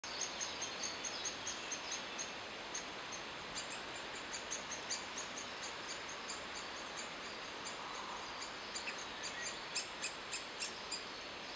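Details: Great spotted woodpecker (Dendrocopos major) feeding its young: sharp, high ticking notes repeated about three times a second, with a steady background hiss.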